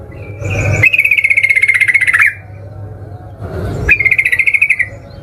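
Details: Sooty-headed bulbul song used in fighting to provoke other birds: two long, level trilled phrases, each a rapid buzzy stutter held for over a second, separated by a gap with low rustling.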